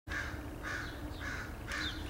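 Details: Crows calling in a front yard in Edmonton, Alberta, Canada, on 8/3/2012: three hoarse caws about half a second apart, then a rougher fourth, over heavy broadband background noise.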